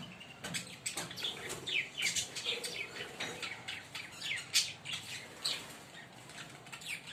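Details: A green pair of Fischer's lovebirds chirping: shrill, high chirps and short squeaky notes scattered through the clip in uneven bursts, fairly soft, with a faint background hiss.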